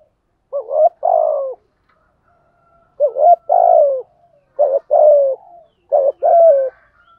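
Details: Spotted dove cooing in the 'thổ' voice style, used to train and lure wild doves: four deep, hollow cooing phrases, each a short note then a longer rolling coo with a falling end, about every one and a half seconds, in quiet surroundings.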